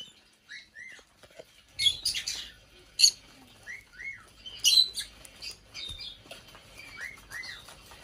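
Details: : a 5-year-old female Black-headed parrot kept as an indoor pet gives scattered short arched whistles and a few sharp squeaky bursts with quiet gaps between.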